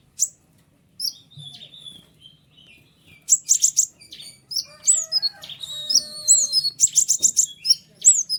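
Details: Long, chattering song of a white-winged triller used as a master recording for other birds: sparse high notes at first, then quick bursts of piercing chirps and short rattles.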